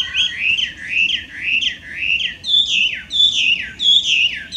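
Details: Chinese hwamei, a wild invasive bird from China living in Japan, delivers rolling whistled notes, each sliding down then up, in a steady loud series shifting slightly higher halfway through.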